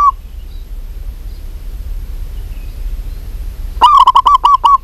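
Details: Quiet low rumble gives way to a local zebra dove, calling actively, producing a quick run of about seven short, throaty, clipped coo notes near the end.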